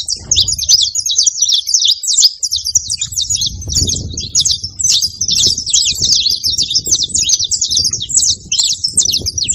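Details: Several saffron finches on a farm make a constant racket of high, fast chips and trills, dense and overlapping, over a steady low rumble of background noise.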